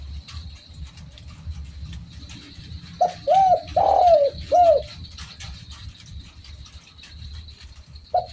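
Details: Spotted dove calling actively: three short, soft cooing notes close together near the middle, then one brief note at the end, over a steady high electronic tone and low rumbling background.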